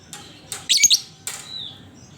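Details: Lovebird singing as a lure for other lovebirds: a brief, shrill, scratchy chatter burst between softer raspy notes, with a faint high whistle afterward and steady low hum behind.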